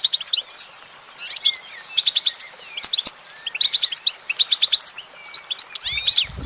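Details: Singing female goldfinch delivers fast tinkling phrases mixing clipped high chirps, slurred whistles and dense trill-like bursts, separated by short pauses; a rising sweep of notes closes the passage.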